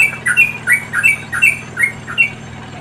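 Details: Wild yellow-vented bulbul chicks being fed by a parent give harsh, squawky begging notes, about eight in quick succession, roughly three per second, over a faint low hum.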